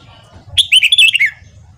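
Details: Morning song of a red-whiskered bulbul used for voice training of wild-caught birds: one loud, rapid phrase of bright slurred notes sweeping downward, lasting under a second, over a soft low rumble.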